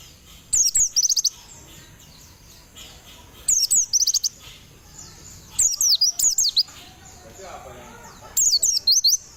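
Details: Very high, sparkling twittered bursts from a white-eye sunning in the morning, each burst a tight run of about half a dozen rapid chirps, repeated roughly every two to three seconds over a soft background hiss.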